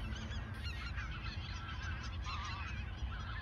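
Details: Autumn 2022 flock of geese in the Ochsenmoor nature reserve shortly before migrating south; a dense chorus of many honks and cackles overlapping continuously, with some calls standing out louder near the end.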